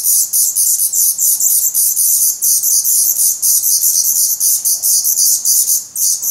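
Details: Black Redstart nestlings, starving and growing fast, beg in their nest in Portugal on 17 May 2020 with a steady wash of thin, high, sizzling calls beating in quick pulses.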